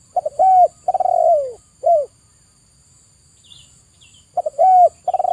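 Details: {'text': "A spotted dove called tekukur gives its three-part cooing phrase: a clipped opening, a drawn-out rolling 'kurrr' that slides down, and a brief closing coo. A second phrase begins after a quiet gap, and faint chirps sound in the background."}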